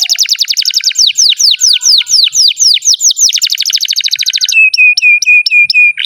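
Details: Canary in full, lively song: rapid repeated slurred whistles blending into a fast metallic trill, then switching to a string of clear, sharply upslurred notes at a steady pace.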